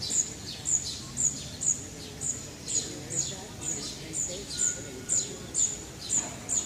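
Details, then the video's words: Birds singing in Vitoria-Gasteiz's Parque de la Florida, a park: a string of thin, high-pitched chirps given at a steady pace of roughly two per second, evenly spaced, with faint low rumble behind. "pájaros cantando"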